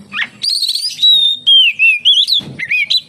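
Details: Singing Oriental magpie-robin, a bird whose song serves to coax others of its kind to sing: rich whistled phrases with long sustained notes, falling slides and quick warbled twists, loud and continuous throughout.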